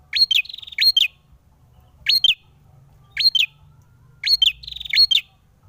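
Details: Excited male ashy tailorbird in a fight, uttering bright high upslurred chips, often doubled and joined to quick pulsed trills, in bursts spaced roughly one second apart against a quiet background.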